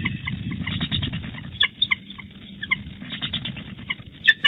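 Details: Wild bald eagle pair at their Big Bear Valley nest after dark on 20 February 2018, the female arriving for changeover and calling to her mate. Scattered short, high, thin chirps and squeaks come singly and in pairs over a low rumbling background.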